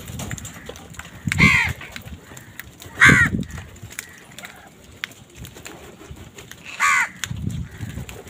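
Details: Crows squabbling with other wild birds for food, three loud hoarse caws spaced about one and a half to four seconds apart, with low background rumble between them.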